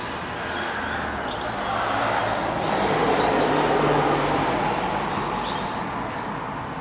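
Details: One of two scaly-breasted lorikeets in Brisbane, Australia, giving three brief, shrill, high screeches about two seconds apart over steady traffic noise.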